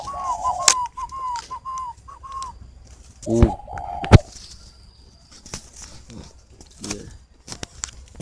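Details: Spotted dove at a bird garden in Ba Vì, Hanoi, northern Vietnam, giving a string of short low coos at first, then a longer coo amid loud knocks, clatter and fluttering.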